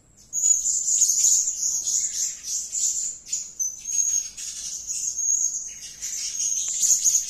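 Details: Blue-crowned hanging parrot calling almost nonstop: an intense stream of thin, piercing, high chirps and trills, rising and falling in loudness in waves throughout.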